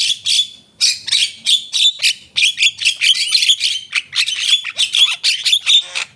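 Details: Javan myna singing vigorously (gacor): a fast run of short, bright chirps and clipped whistles, bursts coming several times a second, high and steady throughout with no other sounds.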